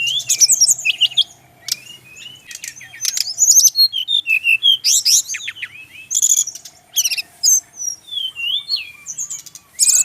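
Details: Brown-chested jungle flycatcher, male, Bali: rapid, varied singing mixing sweet slurred whistles, sharp upswept chirps and short buzzy trills in quick succession.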